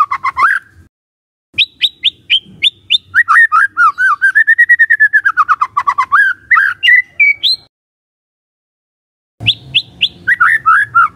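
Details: White-rumped shama singing as a provoking lure for other shamas: high whistled notes, then a long fast trill of notes arching up and down, a rising whistle, a silence, then more descending slurred whistles.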